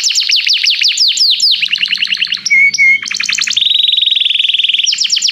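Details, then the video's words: Canary singing during song training to call another bird: quick descending chirps in series, a brief pure whistled tone, then a fast, even high trill. "Canário chama o amigo para cantar - treinando canto de canário"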